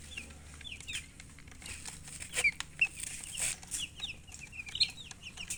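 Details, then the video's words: Scattered high-pitched peeps of chicks, single and paired notes spaced irregularly, mixed with light rustling and clicking noises, louder near the middle. "Baby "Chicks Chirping" Sound"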